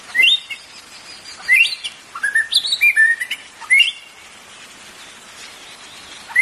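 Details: Song of the white-rumped shama, used to stimulate caged birds: rising whistles and a fast string of chattering notes, then a pause with only hiss before a final upslur.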